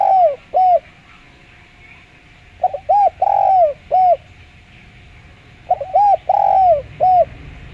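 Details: Spotted dove with a clear voice, used as a lure to get other doves calling; two cooing phrases, each a quick stutter of short arched coos, a longer downslurred croo, then a final coo, separated by a pause, steady faint hum behind.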